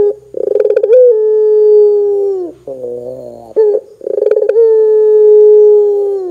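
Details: A Barbary dove calls loudly to stir other doves into calling: a stuttering, pulsed lead-in swells into a long, steady coo, followed by a lower buzzy phrase and a second rolling, drawn-out coo.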